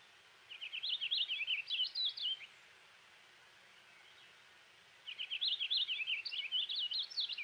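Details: Purple finch (Haemorhous purpureus) song: two long, light, bubbly warbled phrases of rapid varied notes, with no hard zree or rough sounds, separated by a pause of about two and a half seconds.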